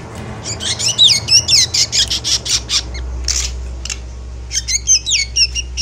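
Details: Javan black drongo chattering with emotion, a lure for birds in moult: rapid, uneven series of harsh squawks and clipped buzzy notes, some bending up and down, about two per second, with low hum beneath.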